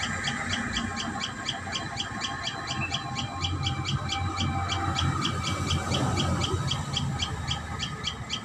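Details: Common tailorbird at its nest: sharp, high notes repeated rapidly and evenly, about four per second, throughout, over steady low rumbling background noise.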